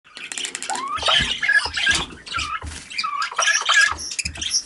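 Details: Two pet cockatiels, one visiting the other: bursts of short rising-and-falling chirps and squeaky notes, mixed with soft tapping and scuffling thumps from the birds moving about.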